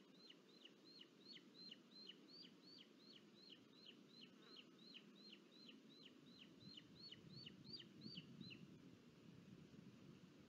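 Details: A booted eagle at a nest in Sierra de Guadarrama National Park, Spain, on 23 July 2022, as the father delivers food and the chick feeds itself, gives a long run of shrill, high, down-sliding notes, about three a second for eight seconds, over a low rumble.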